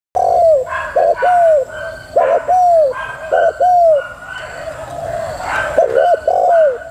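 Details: Female spotted dove giving a prompting coo: low hooked coo notes in pairs and short groups, each rising then falling, separated by brief pauses, over a steady background hiss.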